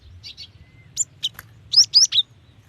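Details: Calling female Cinereous tit summoning a male, used to prompt wild birds to sing: two soft buzzy notes, a thin whistle, then sharp high chips rising into a loud quick run of chirps.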